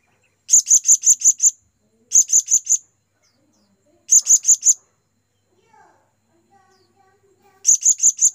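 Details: Blue-crowned hanging parrot calling to its companions as a lure to draw others: bursts of four to six very high, sharp, rapid chirps, spaced by short pauses, with faint low murmurs between bursts.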